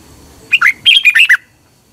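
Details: Single song phrase of a caged red-whiskered bulbul from Thailand, used to train birds each morning: a brisk run of six or seven liquid whistled notes, swooping up and down, lasting under a second.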